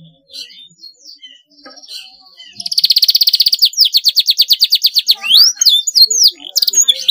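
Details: Canary song offered to young canaries learning to sing: faint scattered notes, then a loud rapid trill slowing into a run of pulsed notes and sharp upward-hooked whistles.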